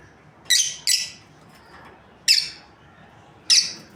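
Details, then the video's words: Quick double chirp, then two single shrill, raspy calls from a breeding pair of lovebirds, irregularly spaced over four seconds. "Amazing Lovebirds Chirping Sounds | breeding pair"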